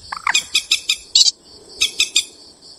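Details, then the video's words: Purple swamphen, presented as a night bird sound, giving harsh, rapid nasal squawks and clucks in two bursts of about six notes each, high and gobbling in quality. "tiếng chim trích ré. tiếng chim đêm."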